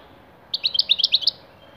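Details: Young Tlemcen European goldfinch, six months old, gives a brief burst of quick liquid twittering notes lasting under a second, then falls silent over a quiet background.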